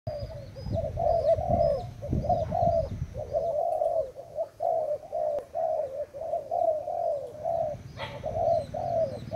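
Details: Spotted dove of Thailand stock, recorded 25/08/18, giving a steady run of soft, mid-pitched cooing notes in short rolling groups, with a low rumbling background noise and a brief sharp click near the end.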